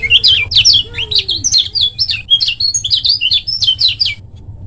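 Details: Lemon-bellied white-eye from Lombok in a short, fast-paced master song meant to train other birds to sing: rapid, dense chattering twitters of high, slurred chirps tumbling together without pause.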